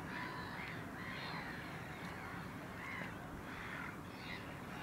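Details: One Caspian gull, the same bird throughout, recorded 9 March 2016, calls repeatedly with rising-then-falling, slightly nasal notes about twice a second against a constant hiss.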